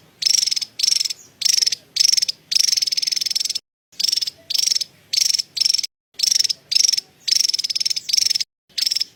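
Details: Repeated cerecetan chatter from a Javan tesia: about a dozen harsh, high, pulsed rattling bursts, mostly under a second long, broken by short pauses.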